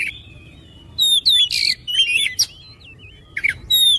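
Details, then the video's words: Oriental magpie-robin song meant to get other magpie-robins singing. Short phrases of bright whistles, buzzy notes and wavering slurred tones come in quick succession. "TERAPI KICAU KACER CEPAT GACOR"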